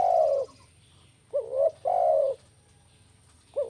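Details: Spotted dove cooing in the 'kuk 1' style, played to lure birds and get them singing. A long, full coo, then a short upswept note followed by another drawn-out coo, and a final clipped note. The voice is warm and hollow over a faint steady hum.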